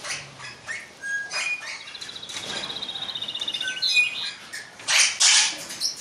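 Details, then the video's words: Captive eastern rosella bred in 2012: a rapid, evenly spaced high trill lasting about two seconds, set among scattered chirps, squawks and clattering noises. "zwarte rosella"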